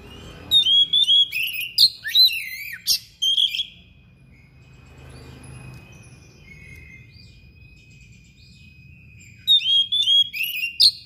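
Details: Thick-billed kacer (magpie-robin) delivering a sharp, insistent song full of copied phrases: clusters of loud whistled and chattering notes early and late, with a lull of faint background noise in between.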